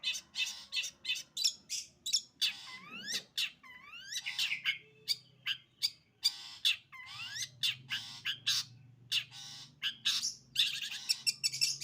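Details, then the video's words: Long-tailed shrike in rapid, varied song: dense harsh chattering notes mixed with repeated downward-sweeping whistles and mimic-like phrases, several notes per second, with a faint low hum underneath. "burung cendet sembur"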